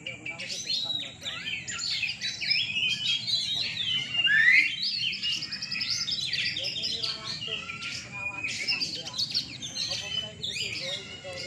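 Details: Night singing contest for caged kacer (Oriental magpie-robins) in Rungkut, Surabaya: a busy chorus of varied whistles, buzzy trills and chattering phrases, one bird's loud rising slur standing out midway, with faint voices in the background.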